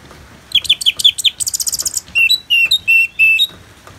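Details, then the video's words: Orange-headed thrush (Geokichla citrina) from North Bali sings freely: a quick run of sharp, high notes, then a buzzy trilled burst and several clear, level whistles, with faint background hiss, in a recording paired with natural rain sounds. "ANIS MERAH Ngeplong"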